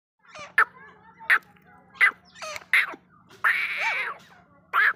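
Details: Grey francolin (Ortygornis pondicerianus), call.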